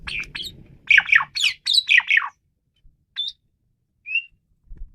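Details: Asian pied starling in intense song: a dense burst of harsh, squawky, chattering notes lasting about two seconds, then a few isolated short whistles.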